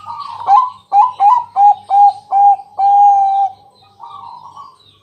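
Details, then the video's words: Loud night-time song of a Bangkok zebra dove meant to lure other doves into singing: five sharply separated coos about every third of a second, then a long steady note and a softer trailing coo. "Pancingan malam hari Perkutut Bangkok..Suara Penghilang Stress Burung Perkutut"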